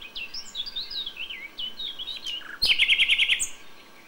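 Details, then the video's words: Dawn song of a common nightingale in May: a run of slurred, warbling whistles rising and falling, then an abrupt loud series of quick repeated notes, about eight in under a second. "A FÜLEMÜLE ÉNEKE"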